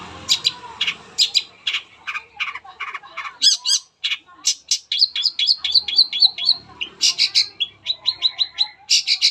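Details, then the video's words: Long-tailed shrike song used as a lure to prompt other shrikes to sing: a rapid, varied stream of sharp chattering and squeaky notes, some in quick trilled runs, with short pauses between phrases. "SANGAT AMPUH BUAT PANCINGAN CENDET APAPUN CEPAT BUNYI"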